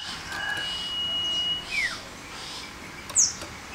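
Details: Male common iora, tame and active, known locally as sirtu or cipoh: one long steady whistle held over a second, then a short downward slur, and a thin high chirp after.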